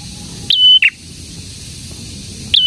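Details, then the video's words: A prinia, the bird called prenjak merah, gives one clear phrase of a sharp upslur into a steady whistled tone ending in a short falling note, then begins another after a two-second pause. "BURUNG PRENJAK GACOR"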